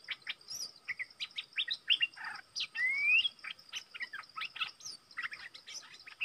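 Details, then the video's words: Stripe-throated bulbul, a decoy bird used for trapping, recorded 25 August 2021: rapid series of sharp chirps and short rising, liquid whistled notes, some slurred upward, with a steady high insect-like drone in the background. "Suara merbah lekir gacor"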